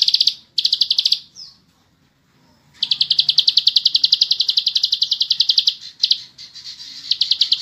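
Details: Bar-winged prinia delivering long, tight ngebren trills: a few short bursts of rapid high buzzy notes, a two-second silence, then an unbroken run of evenly pulsed notes lasting about three seconds before choppier phrases.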